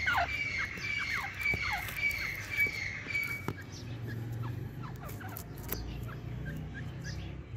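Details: Caged pair of grey francolins, called Irani teetar, giving sharp, high chirping notes with quick downward-slurred whistles, clustered in the first half and then fading to scattered softer notes over a steady background hiss.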